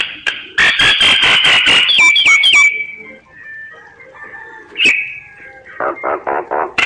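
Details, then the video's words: Singing myna delivers a loud series of rasping pulses ending in a bright whistled slur, a quiet warbled passage, then another sharp note and a string of short scratchy bursts. "Tiếng chim Sáo hót giọng chuẩn hay"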